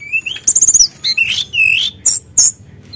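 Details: Tledekan gunung (Sunda blue robin) in active song meant to stir a rival's emotion: a rising whistle, a rapid rattled trill, then swooping slurred phrases and two short piercing notes.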